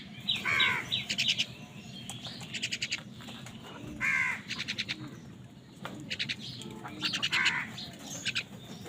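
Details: Crows squabbling over food give repeated harsh caws every few seconds, interleaved with rapid trilled chirp bursts from small birds nearby.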